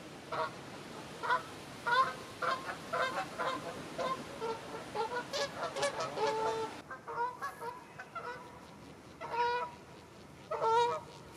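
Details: Large flock of over 100 wild Canada geese grazing in a stubble field in Wiltshire, UK, in October; repeated nasal honks and calls from many birds, overlapping and irregular, against steady background noise.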